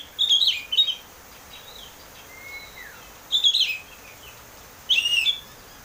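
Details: Open, ringing 'ngeplong' song of an Oriental magpie-robin, played to spur kept birds into song: three loud whistled bursts spaced one and a half to three seconds apart, with quieter slurred notes between.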